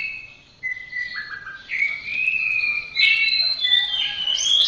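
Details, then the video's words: Orange-headed thrush song for training caged birds: a sequence of clear whistled notes sliding between lower and higher pitches, building into a louder, richer warbled phrase, with faint background hiss. "Masteran Suara Burung Anis Merah"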